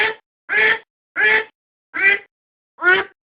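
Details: Decoy recording of a domestic duck: loud nasal quacks repeated roughly every seven tenths of a second, each short, harsh and evenly spaced, in an otherwise silent background.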